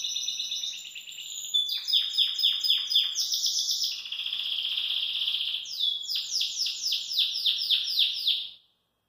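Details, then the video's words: Belgian canary singing relaxed at a kitchen sink: loud, varied song of rolling trills and long runs of rapidly repeated down-slurred notes, ending in sudden silence. "Canário Belga Descontraido Canta na Pia da Cozinha"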